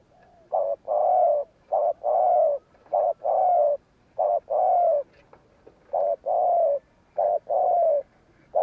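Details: Spotted dove, a cu gáy bred for the gù kích decoy style used to draw other doves, giving repeated low cooing notes in blocks of one or two, roughly once a second, strong and clear against a quiet background.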